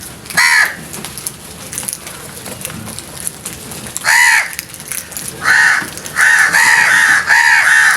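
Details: Frightened crows giving loud harsh caws: one short call near the start, then after a quiet gap a burst of repeated grating caws, several in close succession toward the end, with faint background noise between calls.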